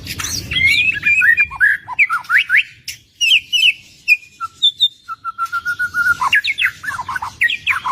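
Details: Loud, close white-rumped shama song: rapid whistled sweeps and chirps, a brief pause, then a level string of repeated whistled notes before rising, twisting phrases resume.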